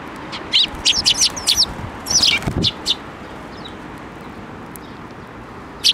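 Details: Sparrows hopping onto an outstretched hand for feed at a Tenmangu shrine, 7 May 2024: a lively string of high, slurred chirps for about three seconds, with a rustling thump amid them, then near silence.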